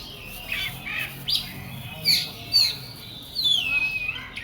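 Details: Oriental magpie-robin in an agitated, fired-up mood. It gives scattered whistled notes and sharp high slurs, some sliding down, in short bursts with brief gaps. A faint low hum runs underneath.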